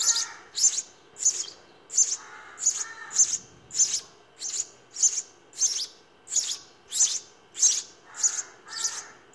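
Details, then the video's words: House sparrow young begging in the nest while fed, an extended stream of sixteen or so high, rasping chirp bursts at a steady pace, with softer lower chatter in places. "Sparrow feeding babies in nest"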